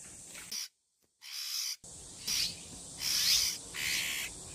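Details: Bull-headed Shrike parent at its nest in a persimmon tree in Geumsan, South Chungcheong, Korea, guarding six chicks, giving harsh, rasping, hissy alarm bursts: four or five short scolding outbursts in quick succession with brief silent breaks, an unusual shrike call.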